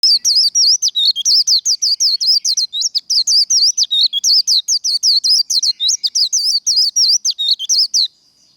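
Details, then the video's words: Japanese white-eye in rapid 'líu' contest-style song, trained and fired up for singing contests: an unbroken stream of quick, high, twisting whistled notes, each sweeping up and down, over eight seconds with barely any pause. "Vành khuyên líu đấu | SIÊU HAY Khuyên líu kích bổi | Kích lửa vành khuyên líu đấu"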